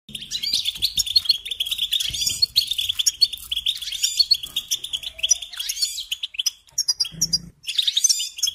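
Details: European goldfinch song used to train young songbirds: rapid liquid twittering with tinkling notes and short buzzes in a dense run, a brief pause near seven seconds, then more twitters; faint low thumps beneath.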